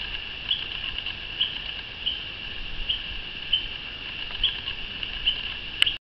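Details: A flock of bronze mannikins in Yaoundé, Cameroon, on 9 August 2012 keeps up a steady chorus of high, thin squeaky calls, with sharper chips standing out about once a second.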